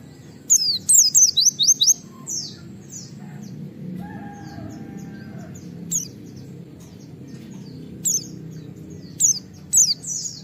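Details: White-eye in the wild giving the 'wit wit' call meant to draw other white-eyes into calling: one quick burst of high, falling whistled notes early on, then scattered single chirps with a low hum and a faint steady tone beneath.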